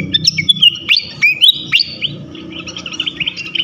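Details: Flycatcher song used to lure and provoke others of its kind: ringing high whistles with steep upward sweeps, followed by a softer, rapid sequence of short clipped notes.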